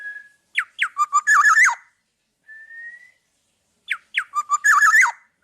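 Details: Black-naped oriole singing energetically as training material for other songbirds: a clear rising whistle, then a rapid run of dropping fluty notes ending in a rough, buzzy flourish, repeated twice.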